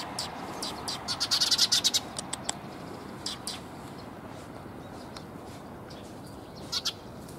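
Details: Sparrows coming to be fed at a Tenmangu shrine on 30 October 2021; a quick burst of bright, high chirps near the start, a few scattered chirps after, then quieter background with a faint pair of notes near the end.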